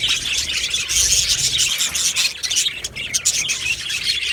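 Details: Colony of Australian budgerigars in an aviary, recorded 15 July 2025: a dense, continuous wash of high chirps, squeaks and warbles from many birds at once, with no pauses.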